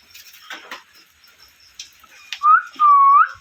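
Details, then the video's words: Parrot chirping and calling: scattered soft chirps and rasps, then two loud clear whistles, a short rising note followed by a longer level whistle that lifts at the end. "Parrot Chirping Sounds | Natural Parrot Sounds | Parrot Calling Sounds"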